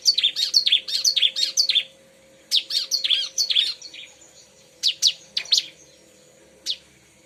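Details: Bar-winged prinia song used for luring birds: bursts of fast, high, buzzy repeated chirps, a rapid series for about two seconds, then shorter groups and single notes with pauses between.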